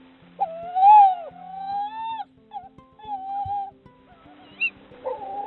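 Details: A female tawny owl incubating two eggs in an ash-tree nest in North Yorkshire woodland calls for food and her mate answers; the pair trade drawn-out, wavering hoots, one long note then shorter answering calls, over soft background music.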